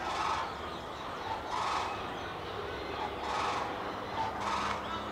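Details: African sacred ibis in Hout Bay giving four harsh, raspy croaks, about one every second and a half, over a steady background hiss.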